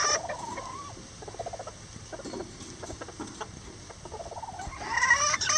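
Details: Rare lavender bantam roosters and hen building a nest together utter a quick series of low clucks, several per second, with a higher call starting at the end.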